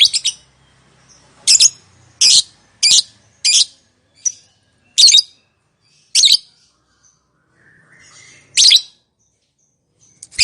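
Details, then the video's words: Lovebird call meant to make quiet lovebirds answer: a series of harsh, shrill squawks at irregular intervals over ten seconds, some paired closely, with faint low background hum. "Suara Burung Lovebird, Memanggil, Yang Bisu Langsung Nyaut, Ngekek Panjang"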